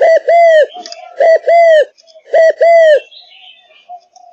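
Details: Malaysian spotted dove, a kept bird in full voice, gives three loud two-note coo phrases, short then long and gently falling, before quiet chirps from other birds take over.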